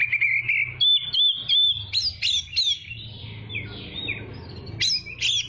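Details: Oriental magpie-robin singing as a training song for young birds: a varied run of clear whistles near a steady pitch, then sharp rising and falling notes, with a low hum underneath.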